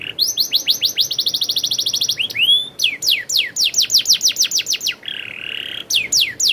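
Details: Canary in full rolling song: a fast high trill, a few upward slurs, rapid descending whistled sweeps, a short buzzy rattle, and more sweeps.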